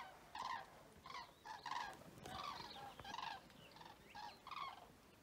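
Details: Several common cranes recorded at Vic-la-Gardiole in Occitanie on 25 February 2024, giving loud, rolling, trumpet-like calls rich in overtones, about nine bursts in five seconds, some overlapping as birds answer each other.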